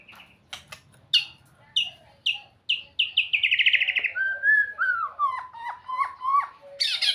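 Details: White-rumped shama singing sweetly: scattered high clicks lead into a fast rolling trill that slides downward, followed by a series of lower, liquid whistled notes with rising and falling inflections.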